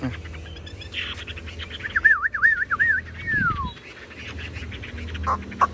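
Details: Fully tame Chinese hwamei kept in a cage, delivering a wavering whistled trill that loops up and down several times before sliding down in a falling glide. Faint background noise.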